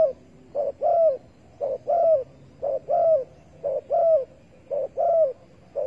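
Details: Spotted dove calling steadily during trapping with bare bait, 15 August 2020: regular pairs of a short coo followed by a longer falling coo, repeated about once a second, loud and clear.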